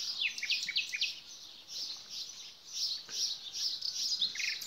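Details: Nightingale singing a fast run of varied high chirps and short slurred notes, one phrase after another, over a dense background of other small birds.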